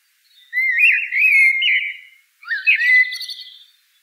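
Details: Two rich, warbling whistled phrases from a common blackbird, each lasting over a second and separated by a short gap; the second phrase has a brighter, higher overlay. No background noise.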